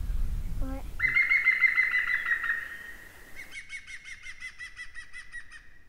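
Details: European green woodpecker in spring, during courtship, near an old orchard beside forest, gives a loud ringing laugh of quick notes, about five a second, and another answers farther off; a low rumble comes first.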